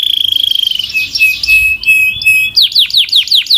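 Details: Powerful Belgian canary: a fast high trill melts into a rolling warble, then gives way to a series of sharp descending whistles roughly four per second.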